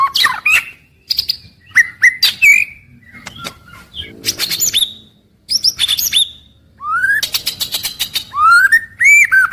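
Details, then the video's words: White-rumped shama daily song, morning to evening: varied phrases of sharp clicks, buzzy bursts and sweeping upward whistles, separated by short silences, ending with clear rising whistled notes. "GACOR PAGI-SORE‼️ Suara Harian Paling Stabil untuk Murai Batu"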